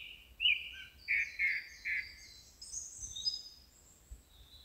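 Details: Song thrush (Turdus philomelos) singing bright phrases, repeating one clear note three times before high, thin squeaky notes.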